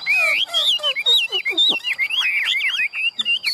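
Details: Hand-tame Chinese Hwamei of large, handsome build, a captive bird singing its fighting song: loud, varied whistled phrases, slurred up and down, rich and rapidly changing, with a few quick descending notes midway.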